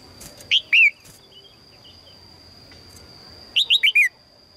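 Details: A female red-whiskered bulbul calling to a strong male gives two separate chirps, then after a pause a fast run of four downward-stepping chirps, with a steady high whine in the background.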